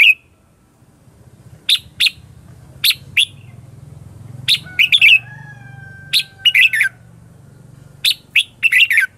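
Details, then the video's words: Chào mào lure song, a fighting-style ché chéc song for attracting wild red-whiskered bulbuls: isolated sharp chirps and quick doubled notes spaced a second or more apart, with a low droning hum in the background. "Cách luyện chào mào mồi - Gọi Bổi Ché Chéc Căng Đét"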